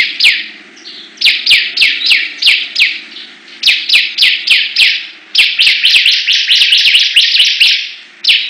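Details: Ciblek, or bar-winged prinia, singing competitively: evenly spaced falling chirps that speed into a dense rapid run near the end, accompanied by sharp clicking ticks.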